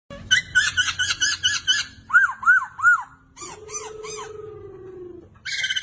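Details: Chinese hwamei in full song: a fast bout of repeated bright notes, then three loud arched whistles, then three more over a long steady lower tone, and a final burst of rapid notes.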